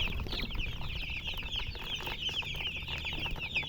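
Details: Shrill overlapping peeps from many coloured chickens and a murgi hen form a steady, busy chirping chatter, a few louder sharp chirps near the end, over soft low rumble.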